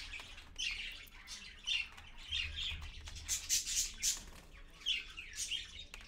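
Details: Early-morning parakeet family, one adult with young, caught by a live stream camera at 6:20 AM on 4.1.15; grating squawks and chirps rise and fall in uneven clusters, louder toward the middle.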